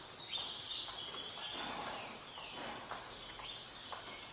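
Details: Green-winged saltator singing the song style known locally as "bom dia seu chico": bright, high whistled notes crowd the first second and a half, then softer, sliding strokes follow against a steady background hiss.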